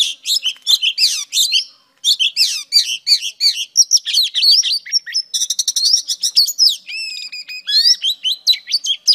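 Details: Female Oriental Magpie Robin singing, used to stimulate males; a loud, varied stream of sweet whistles, rising slurred notes and rapid chattering phrases, nearly continuous with a brief pause near two seconds, in quiet surroundings.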